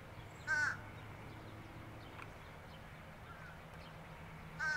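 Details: Fish crow calling with two brief nasal caws spaced about four seconds apart, each clipped and slightly buzzy, over a quiet, steady background hum.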